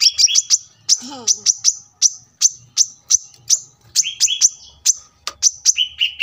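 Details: Sunbird song recorded at a roadside house for training caged birds: spaced sharp high chips mixed with short falling two-tone whistles, plus a faint low human-like murmur early on.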